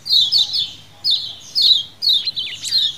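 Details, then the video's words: Lemon-bellied white-eye calls used as a lure: a few bright, high, downslurred chirps in short bursts about every half second to second, in a quiet background with a low hum. "CIAKAN KECIAL KUNING KOLONI ALA ALAM BEBAS"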